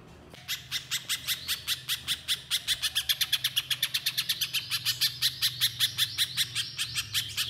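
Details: Little spiderhunter starting abruptly into a long train of sharp, high, evenly spaced chips, roughly two or three each second, sustained throughout with a faint low hum in the background.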